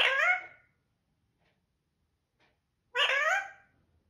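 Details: Pet parrot speaking the word "mithoo" indoors: two loud, harmonic, voice-like utterances, one at the start and one about three seconds later, with quiet room between.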